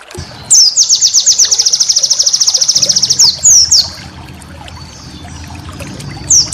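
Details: White-eye master song for training cage birds: a loud, very high, rapid trill of sharp repeated notes lasting about two and a half seconds, then a few short descending chirps, over a low steady hum.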